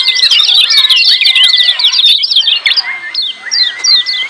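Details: Noisy ciak calls from lemon-bellied white-eyes, aimed at getting silent birds to call. Dense twittering opens, then it thins to short separated chirp runs over a long, slightly rising whistle.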